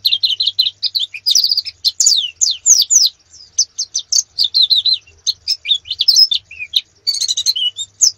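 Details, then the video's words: Canary song for coaching competition birds: varied high chirps and downslurred whistles in quick bursts, brief pauses between phrases, with buzzy note clusters near the end. "Masteran kenari terbaik untuk persiapan lomba nasional"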